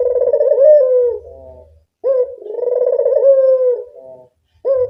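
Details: Local puter dove used to lure birds: purring coos roughly every two seconds, each a long vibrating roll with a soft dying tail, the next starting with a short sharp note.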